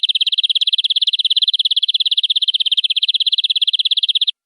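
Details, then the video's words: Canary singing in a long, continuous song: a fast, even trill of high rapid notes, roughly thirteen per second, held steady for over four seconds with no other sounds. "Suara Kenari durasi panjang"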